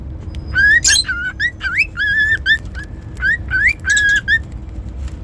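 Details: A pet cockatiel sings, uttering a lively series of short whistled notes, many swooping upward, some flat and sustained, with a few scratchy high chirps among them.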